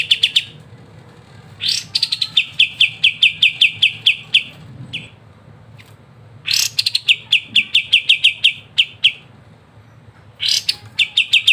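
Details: Kapas tembak singing lively ngebren as a training master: three phrases, each starting with a raspy burst followed by a quick train of sharp chirps, with short pauses between.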